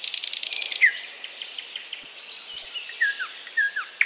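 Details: A thrush nightingale (Luscinia luscinia) sings in Bryansk: a rapid rattling burst, then a varied run of sharp whistles, clicks and downslurred notes, all high-pitched and fast.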